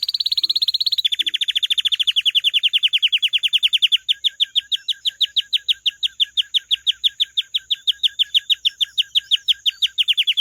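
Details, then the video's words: Canary singing a long fast trill: a dense buzzy phrase, then rapid repeated notes for about ten seconds, evenly pulsed and slowing slightly toward the end. "کەناری ـ الكناري ـ canary"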